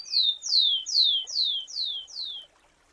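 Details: Rufous-collared sparrow (Zonotrichia capensis), song.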